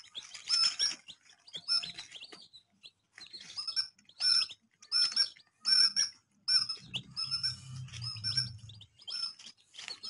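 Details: Young chicks give bursts of high, falling peeps about once a second, separated by short silences, with a low rumbling hum in the middle stretch.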